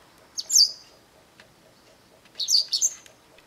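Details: A Japanese wagtail in a garden, calling shrilly for a long while, gives two bursts of shrill, high, buzzy chirps, each about half a second long and roughly two seconds apart, over quiet background.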